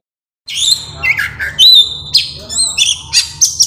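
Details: Oriental magpie-robin (kacer) song used as a lure or master song for other kacer: varied loud whistles and harsh notes, sliding phrases and buzzy bursts, with a low hum beneath.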